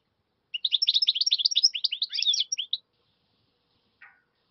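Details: Carduelis finch song: a rapid twittering run of about two seconds of high, bright chirps and short trills tumbling up and down, followed by silence and one faint short note, with a quiet background.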